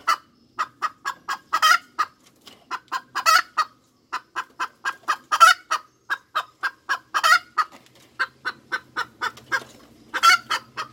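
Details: Continuous hen cackling: dense, rhythmic clucks with repeated harsh, drawn-out squawks every few seconds; a faint low hum appears toward the end.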